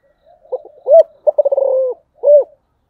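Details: Spotted dove calling in the giọng thổ voice. Soft lead-in notes come first, then an arched coo, a rapid rolling stutter that settles into a drawn-out falling tone, and one last rounded coo.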